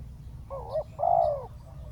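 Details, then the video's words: Spotted dove used as a ground decoy to draw a wild dove down: a short, low dipping note followed by a longer, steady mellow coo, over a soft low background rumble. "เสียงนกเขาใหญ่ ต่อ นกเขาใหญ่"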